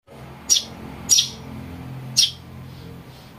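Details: House sparrow chick calling, a recording used to lure birds: four sharp, high chirps spaced roughly half a second to a second apart, over a faint low hum.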